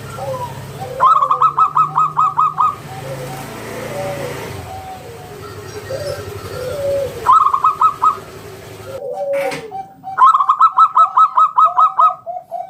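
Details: Lure song of a local wild zebra dove, ngalun kung bulat style, meant to set other doves singing: three bursts of fast, rhythmic coos, each eight to ten notes, over a steady hiss and soft murmuring calls of other birds.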